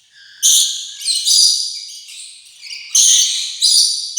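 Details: Rainbow lorikeet chatter: a soft whistled note leads into abrupt, piercing screeches in four loud bursts, each sharp at the start and tailing off.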